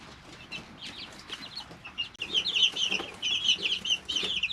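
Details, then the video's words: Three-week-old chicks in a brooder. Quiet at first, then a rapid run of high piping peeps grows busier and louder in the second half, with light rustling beneath. "Just Chicks - Life in the Brooder"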